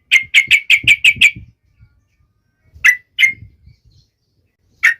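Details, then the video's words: Yellow-vented Bulbul, known locally as trucuk, in lively song intended to stir other trucuk birds into singing: a rapid burst of six sharp chirps, then three scattered single notes after a pause, with faint low thumps. "burung trucuk gacor"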